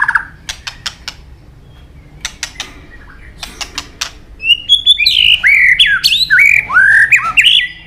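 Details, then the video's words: Murai batu, a white-rumped shama singing with a full set of inserts: dry clicking ticks spaced irregularly for several seconds, then a lively run of loud whistled slurs jumping up and down in pitch. "Murai batu gacor isian super lengkap"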